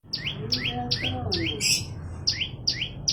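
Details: Olive-backed tailorbird singing persistently: sharp two-part notes, a high thin tick dropping to a lower slurred whistle, repeated about every half second, with a brief buzzy burst midway and faint lower warbling sounds underneath.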